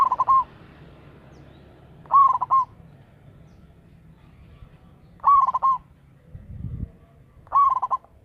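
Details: Zebra dove of local stock used to draw in wild birds, repeating its bubbling, stuttering coo phrases four times at intervals of two to three seconds, each quick notes into a sustained coo, with a brief low thump between.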